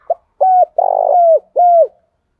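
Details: Spotted dove decoy bird calling to draw in wild doves. One short soft note leads into three mellow hooting coos. The middle coo is long and burry and slides down at its end. The surroundings are quiet.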